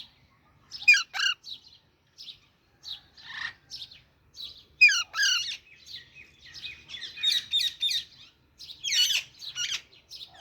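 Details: Chirping baby Alexandrine parakeet: a busy string of high tweets broken by several harsh, grating squawks, growing denser and louder in the second half.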